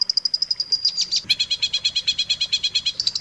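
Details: Long-tailed shrike training recording for teaching other shrikes: a fast run of thin high piping notes that runs into a sustained whistle, then a steady chatter of doubled chirps, about six per second.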